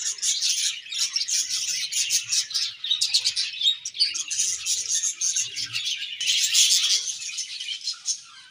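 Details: Budgerigar colony chirping while eating, a dense continuous chatter of high, buzzy twitters and chirps overlapping throughout, with short bursts of sharper clicks around the middle.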